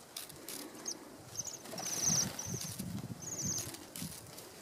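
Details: Wild Bohemian waxwings eating apples from a hand on Fair Isle, Shetland, Scotland, in November, giving thin, high, buzzy trills in short bursts, several in a few seconds, over soft rustling and flutter close by.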